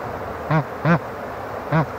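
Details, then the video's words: Bar-headed Goose giving three short nasal honks, evenly spaced about half a second apart, each a low, rich, slightly arched note over faint background hiss. "斑頭雁/Bar-headed Goose"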